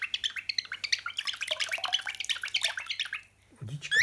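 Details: Pet cockatiel mimicking running water with a fast, burbling stream of short liquid chirps and gurgles, ending in a short silence and a final squawk.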